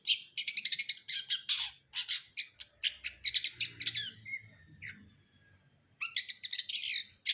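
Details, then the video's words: Long-tailed shrike in full song, pouring out quick scratchy chirps and harsh squawks with brief whistled slurs, a short lull, then another dense run of rasping notes; faint low hum beneath. "KICAUAN CENDET BRUNDOL"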